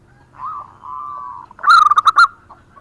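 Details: Singing zebra dove of local type: a drawn-out low purring coo, then a sudden loud burst of five or six quick, sharp notes, trailing off softly.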